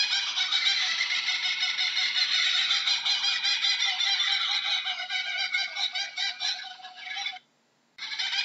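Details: Long, loud run of rapid, harsh chuckling notes from a Kookaburra, full of raucous overtones, easing slightly in volume before a short silent break. The fast cackling starts again right after the gap.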